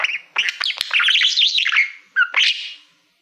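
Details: Caged male budgerigar that loves mirrors warbling at a reflective plaque: a continuous squeaky, buzzy twittering with wavering whistled notes for about two seconds, then a short rising chirp and a final burst.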